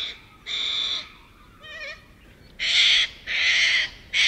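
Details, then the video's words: A huge flock of little corellas foraging in suburban Melbourne, Australia. Raspy drawn-out screeches alternate with a brief wavering whistle-like call, then three louder harsh squawks in quick succession. "Huge Flock of Little Corellas"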